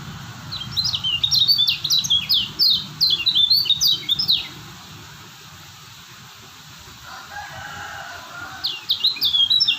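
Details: Lombok lemon-bellied white-eye in full song: rapid strings of bright, high descending whistles about four per second, a quiet gap, then the chattering phrase resumes; constant low background hum.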